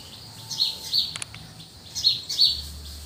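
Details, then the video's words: Birds at early morning in cool countryside, giving short high chirps in pairs, a few notes spaced about a second apart, over a faint low rural hum. "The atmosphere and sound of early morning birds in the cool countryside."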